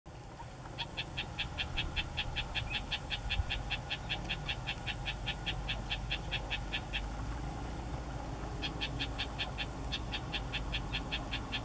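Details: Isabelline (rufous-tailed) shrike (Lanius isabellinus) calling a fast series of short, sharp, high chack notes, about four a second in two long runs, over a steady low rumble of traffic or wind.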